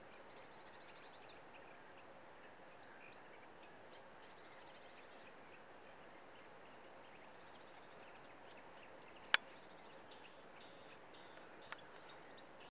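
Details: A distant marsh warbler sings from the reeds in Estonia: a fast, varied stream of high chattering notes and buzzy trills, with a steady background hiss and one sharp click.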